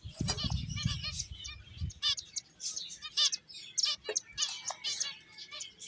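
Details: Several finches at play chatter in rapid, high-pitched chirps and short trills, overlapping irregularly, with a low rumbling noise in the first two seconds.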